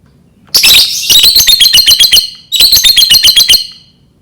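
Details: Lovebird 'ngetik' song used as a lure to set off another lovebird: rapid, high, dry ticking chatter like typing, two bursts of many clipped notes, the second after a brief pause.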